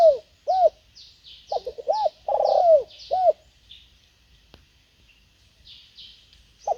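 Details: A decoy spotted dove calls to lure wild birds with a series of low arched hoots and a long rolling coo that slides down, then falls silent. Faint high chirps continue in the background.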